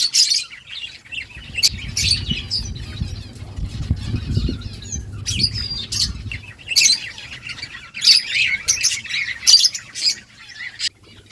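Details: Several budgies chattering to each other, bursts of high buzzy chirps and squawks in short clusters, with a low rumbling hum underneath during the first half.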